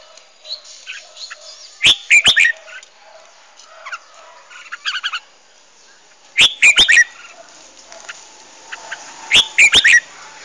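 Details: Many wild Red-whiskered bulbuls on a hillside sing loud, bright, chattering phrases of quick whistled notes in bursts every few seconds, with softer calls from other birds between them.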